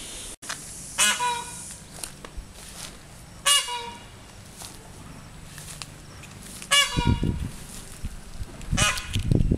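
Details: Peafowl giving loud, nasal, strongly harmonic calls, each a short sharp note with a slight upward bend. The calls come in spaced bursts every two to three seconds over a low background rumble.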